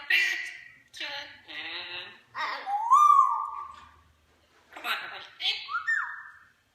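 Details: African grey parrot singing the Ramones' "Pet Sematary", accompanied by an Amazon parrot: short speech-like sung phrases with a bright whistled glide in the middle, broken by brief pauses.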